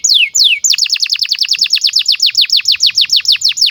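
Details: Training song of a domestic canary for tutoring young birds: two long falling whistles, then a fast, even string of sharply descending notes repeated several times a second.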